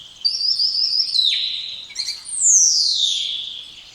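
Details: Spotless starling giving two drawn-out whistles, the first long and level before dropping sharply, the second starting very high and gliding slowly down, with a faint buzzy overlay.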